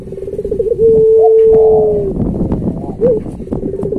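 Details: Puter pelung Barbary dove, a kept bird singing a master song for training doves. After a stuttering start it holds one long, smooth, low coo for over a second, which fades downward. A short rising coo follows amid rough background noise.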